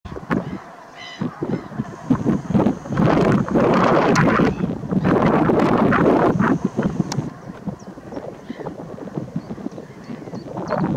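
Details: Dark-bellied brent geese in Lincolnshire in March 2023, a flock giving dense overlapping low, gruff honking calls that swell into a continuous chorus in the middle, then thin to scattered calls.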